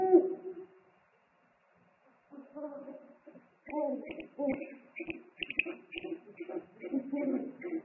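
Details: Eagle-owls calling at a nest on a live nest camera, 3 March 2019, as the father brings food; after a short silence, low hoots overlap with higher, rougher notes in a busy back-and-forth exchange.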